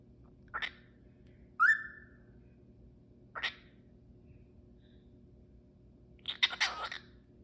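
A cockatiel gives a clear whistled note between short, harsh chirps.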